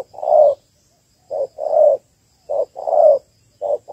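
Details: Calling hen spotted dove, Malaysian stock, used to rouse males for trapping; deep muffled coos, a long note followed by short-long pairs, ending with two quick short notes.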